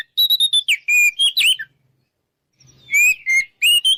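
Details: Oriental magpie-robin delivering a loud 'ngeplong' song intended to provoke an opponent to fight; rapid ringing whistles and falling slurs, a silent pause, then three more clear whistled notes.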